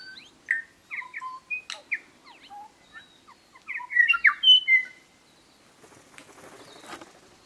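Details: Bellbird (korimako) recorded in New Zealand native bush near Greymouth on 8 April 2023, delivering a lively run of clear ringing notes and quick slurred chirps, louder in the middle, fading into soft rustling at the end.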